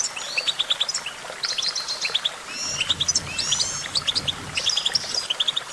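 A goldfinch sings a fast, tinkling song of bright twittering notes and short trills, high-pitched and run together in quick bursts.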